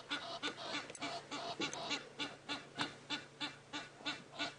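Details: Wild Egyptian geese calling by the water near a perched African fish eagle at Djuma Game Reserve, on a live safari drive on 22 August 2016: harsh nasal honks repeated steadily, about three per second, throughout.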